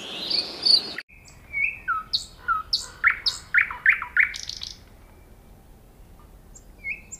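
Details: Common nightingale: after a short burst of noise, a level whistle followed by a run of about eight loud, evenly spaced chirping notes, then quiet and a final short whistle.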